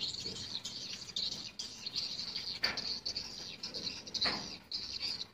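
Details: Swiftlets active in a swiftlet house in the daytime give a steady, high, buzzy chatter of many overlapping chirps, broken by a few louder rasping calls and soft fluttering.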